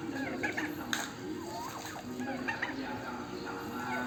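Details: Turkeys heard while mating: clusters of short warbling and curving calls come in bursts, with a sharp knock near the start, over a constant low droning background.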